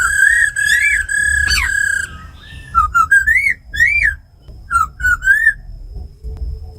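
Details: Laughingthrushes, a rattling female and a tame khướu mun in forest-voice 'giọng rừng' song, meant to rouse caged birds: sustained full whistles, then a string of short looping, wavering phrases rising and falling between brief gaps.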